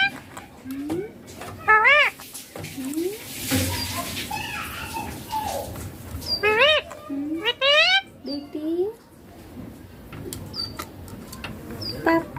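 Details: Pet green ringneck parakeet talking, reportedly saying papa and mummy: a series of short harmonic voice-like syllables, some wavering and stacked, spaced irregularly, with soft chirps and faint background noise in an indoor setting.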